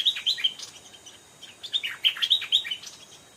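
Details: An old, aggressive wild Stripe-throated bulbul answering a caged decoy; fast, jumbled warbling phrases of bright chirping notes, a short burst, a pause, then a longer rolling run.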